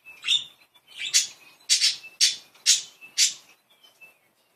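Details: Playful, happy pet budgerigars, more than one bird. A quick burst of about seven harsh, buzzy chirps comes roughly twice a second, then fades into soft squeaks.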